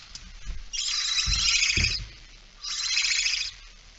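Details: At 06:11 on 17 September 2019, with a female barn owl bringing a mouse, two harsh hissing bursts of about a second each, the first overlapping low knocks and bumps.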